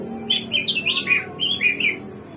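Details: Song of a hwamei (samyong or garuwa), the bird of 1001 voices: quick, bright warbled phrases with high, rolling slurs, delivered in two close bursts.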